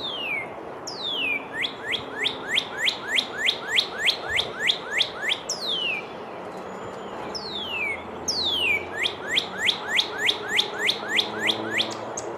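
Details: In winter in eastern North America, a backyard Northern Cardinal sings its whater-whater cheer-cheer-cheer song twice: two or three loud downslurred whistles, then a quick run of a dozen short rising cheer notes, about three per second, over a quiet hiss.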